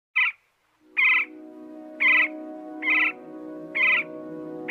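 A woodpecker gives sharp, high 'kik' notes about once a second, six in a row, over a steady low humming drone.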